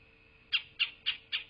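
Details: Nesting bald eagle, southwest Florida, 8 November 2023 at 12:47: after a brief quiet, four piercing high squeaky notes in quick even succession, over a steady background hum.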